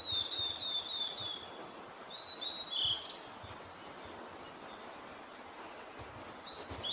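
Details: Blue-and-white flycatchers in Kita-Harima, Hyogo, Japan, where a male seems to react to a female calling nearby: thin, high, slurred whistled phrases in short bursts with pauses between them, over a steady background hiss.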